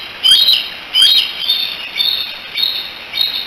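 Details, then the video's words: Bald eagle eaglets, three siblings hanging out at the Decorah nest in July 2018, calling for their mother: loud, piercing, downslurred whistled chips, several in quick succession, then softer repeats, over low background hiss. "The 3 D's hanging out and chatting together, probably calling for Mom."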